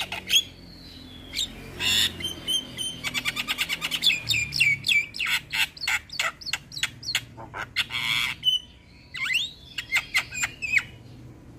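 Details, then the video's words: Javan myna in gacor full isian song meant to provoke nearby mynas: quick clicking trills, short whistled slurs and harsh chattering notes in uneven bursts, with a few swooping whistles near the end. "Jalak Kebo Gacor Full Isian Bikin Heboh Semua Jalak Yang Dengar"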